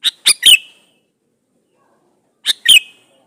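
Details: Male sooty-headed bulbul calling for a female, used to lure bulbuls into answering; two crisp phrases of three quick notes, the last slurring into a ringing whistle, separated by a long silence.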